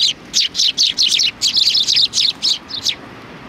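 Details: A flock of sparrows greeting at a Tenmangu shrine on 3 July 2020, giving a steady run of bright, high chirps, about four each second, each note short and slightly descending.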